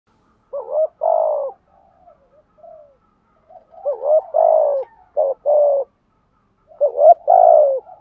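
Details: Spotted dove cooing to call the flock, male and female voices used to stir a trained bird: three loud, throaty coo phrases with short rising notes and a long falling hum, separated by soft murmuring pauses.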